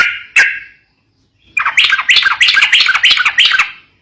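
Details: Sooty-headed bulbul, fighting-style song meant to stir young bulbuls: one sharp note, a silence, then a rapid string of bubbly whistled notes rising and falling, repeated about three per second.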